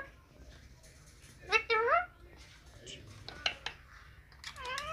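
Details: Green Indian ringneck parakeet talking on a mobile phone indoors. Squawky, speech-like phrases with bright, rising harmonic tones around the middle and again at the end, between clicks and quieter chatter in a small room.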